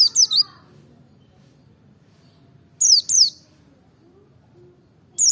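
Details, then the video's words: White-eye from Merapi giving short pairs of high, downward-swept chirps separated by long quiet gaps, used to encourage other birds to join in singing. "pancing emosi pleci merapi ngalas dobel buka paruh 100℅ ikut bunyi"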